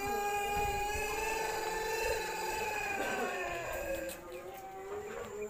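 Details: Crow of a champion-line jumbo pelung cockerel just past its moult and suffering a rattling throat: one sustained, rich, slightly wavering crow lasting several seconds before it fades.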